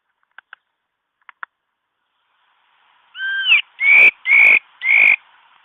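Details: Mi đất bird singing as a trapping lure: a few soft clicks, then a two-toned whistle and three loud, sustained, slightly rising whistled notes about half a second apart.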